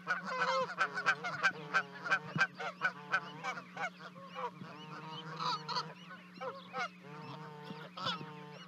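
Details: Two Canada goose goslings jump from a 30-foot nest in Charlo, Montana, on 12 May while parents call; rapid run of sharp honks at the start, then looser, slower harmonic calls, with a constant low hum beneath.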